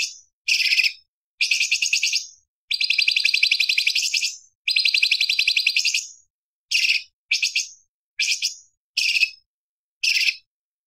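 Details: Light-vented bulbul varied song, recorded to tutor other cage songbirds, described as sharp and fiery: long dense buzzy high trills alternate with short clipped chirps spaced about a second apart, with clean silence between phrases.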